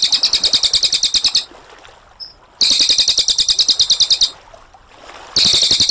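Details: Cililin, a brown cililin, sings a clear and long rolling song recorded to tutor other birds. Two rapid, high, buzzy trills each last about one and a half seconds, and a third starts near the end.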